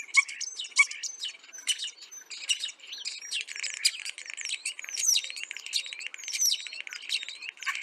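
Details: Asian glossy starlings eating ripe papaya at a home give a busy stream of sharp, metallic whistles, squeaks and buzzy notes, high-pitched and overlapping, possibly several birds calling together.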